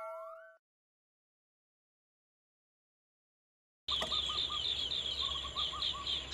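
Green bee-eater: high, rapid trilled chirps, about four per second, over lower short notes from other birds. A brief electronic tone comes first.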